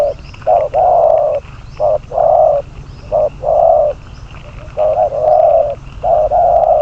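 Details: Decoy spotted dove numbered 22 for bird trapping, cooing steadily in short-long pairs of mellow, low notes. Some of the held coos stretch out longer, over a light background hum.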